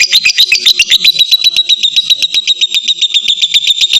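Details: Lovebird ngekek, a full trill meant to draw out longer singing from other lovebirds: dense, shrill pulses rattled off at a quick, fairly even pace without a break.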